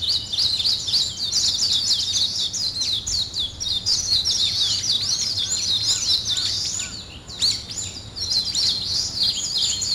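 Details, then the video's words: Dawn chorus of birds in the morning, continuous high chirping and twittering, about three or four notes a second, briefly pausing near the end before resuming. "아침을 깨우는 새소리 2 ,Birds wake up in the morning 2"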